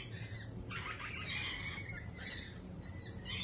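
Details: Lorikeets, jittery after a peregrine falcon attack earlier in the week, give a brief cluster of harsh, broadband screechy calls in the first half, then fainter scattered chirps, over a steady high-pitched hiss and low background rumble.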